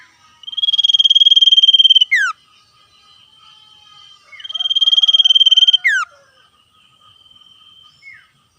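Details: Common iora in the wild, singing in the energetic rapid-trill style called ngetir while calling back and forth with wild birds: a long, fast, buzzy trill of about 1.5 seconds ends in a quick downward-slurred note. The phrase repeats about every 4 seconds, with faint softer calls between.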